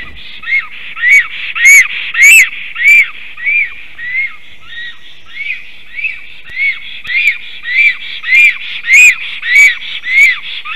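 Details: At a nest site on 18 May 2023, 11:40 am, a female black stork sings as the male watches; even, regular arched whistles repeated steadily, nearly two per second, with occasional sharp clicks.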